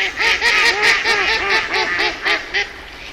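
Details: Fast, continuous duck chatter: many short nasal quacks from several birds overlapping in a busy, uneven stream.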